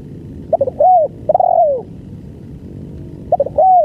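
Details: Spotted dove giving a long-duration song: two quick stuttered notes, then a drawn-out falling coo. The phrase repeats, with a faint low hum underneath.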